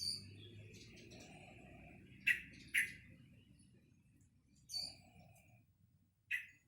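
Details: Young caged sooty-headed bulbul, obtained at two months old in early November 2018, practising song: short, bright chirps at 2.3, 2.8, 4.8 and 6.3 seconds, with faint softer notes and a low indoor hum.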